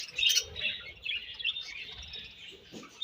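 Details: Budgerigars chirping while eating; soft, steady high warbling with short chirps, a brief louder squeak at the start, and faint pecking sounds below.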